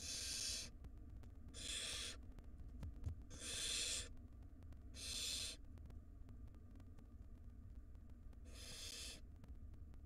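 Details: Barn owl nestlings in a wild nest box, one swallowing a large rodent while the mother feeds its siblings; harsh hissing screeches repeated irregularly, about forty per minute, over low background hum.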